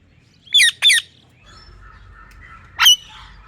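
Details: Pet parrot giving two sharp, harsh screeches in quick succession, then a pause with a faint whistled note, then one more loud screech; no words are heard.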